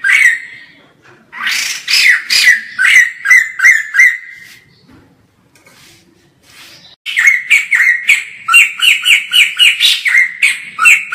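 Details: White-crested laughingthrush in lively full song, recorded from far away: loud, harsh, ringing notes repeated in quick, rhythmic bursts of about two per second, a near-silent pause in the middle, then a denser run of loud notes.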